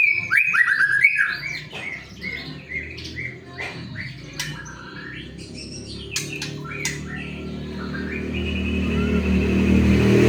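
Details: White-rumped shama song meant to encourage other shamas to sing: rapid varied whistled phrases and sharp clicks for about seven seconds, then fading as a rising low rumbling noise takes over.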